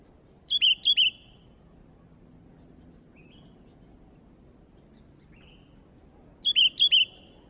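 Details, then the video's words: Energetic sooty-headed bulbul, newly acquired: a quick group of three clear, ringing notes, about six seconds of near silence broken by faint soft notes, then another similar three-note burst. The background is quiet. "burung kutilang baru Gacor dor"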